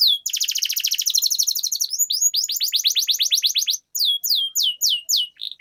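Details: Canary lure song for teaching young canaries to sing and roll long: a fast buzzy trill of tightly repeated notes flowing into a run of downward-sweeping whistles, brief pause, then slower spaced sweeping notes.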